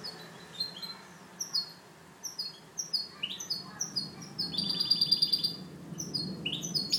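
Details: Goldfinch hybrid (mixto) delivering clean song (canto limpio), one of three hybrids kept for training: scattered high chirps and short twittering phrases, growing denser toward the end, over a low background hum.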